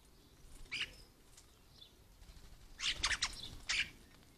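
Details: European starling, which imitates the calls and songs of other birds, giving a short harsh chirp followed by a burst of clustered buzzy, scratchy notes and a final rasping note, over quiet background.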